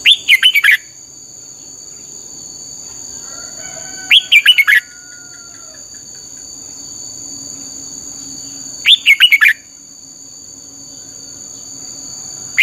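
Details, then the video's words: Red-whiskered bulbul training song, short bursts of fast warbling repeated about every four seconds, with long quiet gaps, faint low hum and a steady high tone throughout. "luyện giọng cho chào mào hót hay - căng lửa, chao mao, chào mào hót hay, chao mao hot che"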